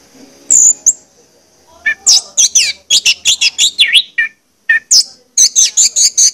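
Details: Orange-headed thrush song used as a lure to get kept birds singing: varied bursts of high whistles and sharp chirps, densely packed after a quiet opening, with a short gap before a fast final run.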